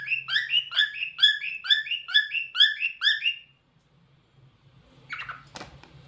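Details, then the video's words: Singing cockatiel, a talkative pet bird, gives a quick, regular series of bright chirped notes for about three seconds, then falls quiet before a short scratchy noise and a click against a low background hum. "Cockatiel Talkative Bird 🐦 Rio Nice Singing"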